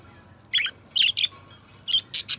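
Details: Budgies chattering as pets sing and talk, five sharp, bright chirp bursts spaced about half a second apart over a quiet hiss.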